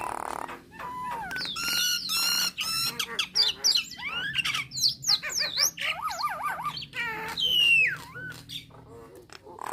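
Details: Nias hill myna in varied song, used to provoke starlings: looping whistles, harsh squawks, wavering trilled notes and a long descending whistle, delivered fast and irregularly.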